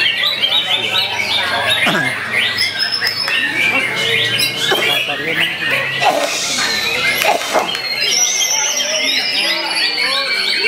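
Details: Young wild-caught white-rumped shama, first-place winner of the youth class at a bird-singing contest in Pekalongan, Central Java, Indonesia, on 29 July 2024; dense high warbled phrases and whistles, with a crowd talking and clapping throughout.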